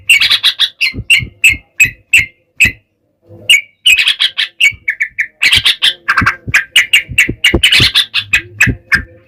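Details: Yellow-vented bulbul, gacor ropel song meant to make other bulbuls respond: steady series of sharp chirps, a brief gap, then a long, dense stretch of rapid bubbly notes over faint low thuds.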